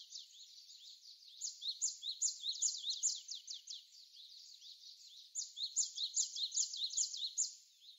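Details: Japanese tit giving bright, high chirping notes in quick repeated bursts, about two or three a second, rising and fading in loudness, during windy snowfall in Korea on 16 February 2020.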